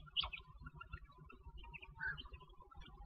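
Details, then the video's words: A female common quail gives a few short, high chirping notes, spaced about two seconds apart, over a steady low rumble of background noise. "Batair ki awaz||Quail ki awaz||Female Batera voice"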